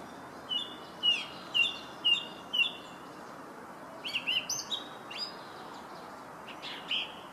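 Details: Song thrush in Herttoniemi, Finland, repeating one crisp whistled phrase five times at half-second intervals. It then switches to a different, more varied run of high notes, with steady background noise.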